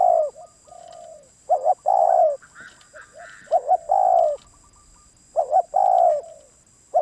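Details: ['Wild Spotted dove, said to be very stubborn, giving low cooing phrases. A clipped double coo leads into a drawn-out, slightly falling note, repeated three times. Faint higher chirps and a constant thin whine sit behind.']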